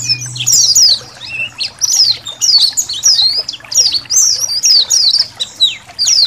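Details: A colony of Indonesian white-eyes used as training audio to get caged birds singing readily, with trickling water. Dense overlapping high, thin, descending twitters and chirps come in bursts roughly every half second, over a faint low steady hum.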